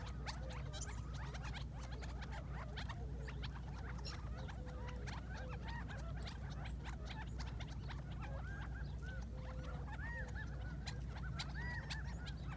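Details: Morning chorus of several quail waking in the Mohave Desert, filmed from afar on an iPhone: rapid clicking chips and short curved nasal calls tumbling over each other, some drawn-out notes, steady low hum underneath.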